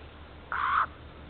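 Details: Jay calling in the morning beside an Estonian black stork nest on 30 March 2014, on a nest camera: a single short, harsh, rasping screech.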